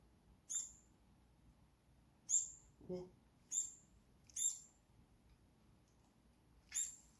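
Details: A fledgling Brown-eared Bulbul, fallen near an apartment playground and being hand-reared, gives five sharp, very high chirps at uneven intervals at 6 a.m. on its third day in care, with brief low rustles or voice between.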